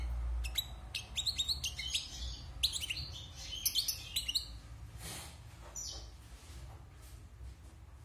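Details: Wild European goldfinch, caged six months after its moult, singing rapid bright twittering phrases with sharp high notes and quick buzzy trills in the first four seconds, then fading to faint softer notes; low room hum underneath.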